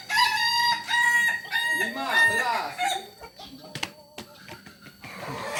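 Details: Crowing Kukuak Balenggek chicken from Solok: a rippling, multi-syllable crow of about three seconds with wavering, bending notes, then scattered clicks, knocks and a fainter crow nearby.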